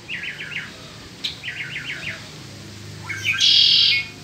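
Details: Peninsular mockingbird in spring delivering a rapid series of repeated slurred notes in two bursts, followed by a rising note and a loud buzzy, rattling phrase; faint low hum beneath.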